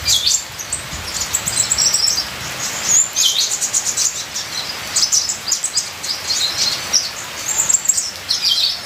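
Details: Ninja sunbird pouring out high-pitched, jumbled twitters and sharp chip notes in dense bursts, with rain hissing throughout.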